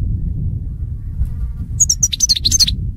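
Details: European goldfinch sound meant to stimulate goldfinches into singing: after a quiet start comes a rapid run of high, twittering chirps with slurred liquid notes, over a low steady hum.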